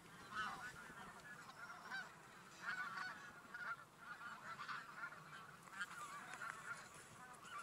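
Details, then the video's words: Migrating geese heading from fields to a lake for the day. Many birds honk at once, making a steady babble of short, nasal, slightly yelping notes. "Гуси летят на днёвку Geese fly from the fields to the lake"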